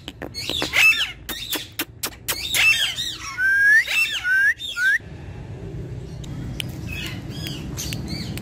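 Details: A pet talking rose-ringed parakeet gives harsh, scratchy squawks, then three loud whistles swooping upward. Softer chatter follows over a steady background hum.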